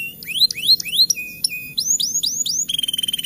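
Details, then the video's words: Rainy-season canary song used to coax reluctant birds into singing: clear upslurred whistles interspersed with short flat whistled notes, then a quick rattling trill at the end. "Kicauan Burung KENARI Ngeroll Pancingan Penggacor Di Musim Hujan || Pancingan Kenari Malas Bunyi"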